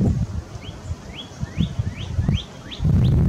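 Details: Northern cardinal in Sapsucker Woods, Ithaca, New York, USA, recorded 20 February 2022, repeating clear rising whistled slurs about three per second, with a low rumble and thumping noise underneath.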